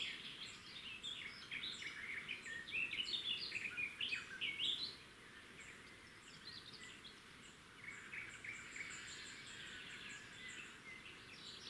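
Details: Red-backed shrike (Lanius collurio) at its nest by a road, June 2016: a rapid, scratchy chatter of short notes, loudest in the first half, with thin, high insect-like ticking throughout.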